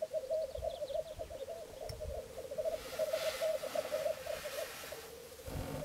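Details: Three black grouse males (Lyrurus tetrix) display at a lek, heard from a hide at Filsartrusket in Florarna, Sweden, on 17 April 2013. They keep up a continuous low, bubbling, dove-like rookooing broken by occasional sharp hissing sneezes.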